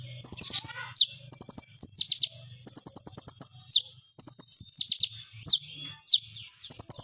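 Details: Plain flowerpecker singing hard in sharp, loud rapid-fire phrases as a lure and teaching sound: quick high ticking trills interleaved with falling slurred notes, repeated steadily over a faint low hum.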